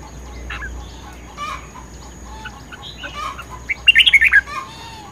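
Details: Contest song of a red-whiskered bulbul: quiet separate notes and chirps, then a short burst of loud, quickly varying warbled notes just before the end, with a constant faint high hum behind.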